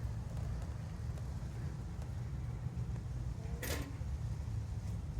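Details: Low vehicle rumble fills the background on a cool sunny day, broken by a single sharp knock or door-like bang; no chicken or other animal sounds.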